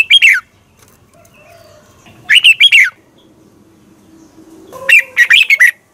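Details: Lure recording of a red-whiskered bulbul singing in the morning, competition style, to spur other birds: three separate bursts of rapid, ringing, downslurred chirps, each about a second long, spaced by quiet gaps.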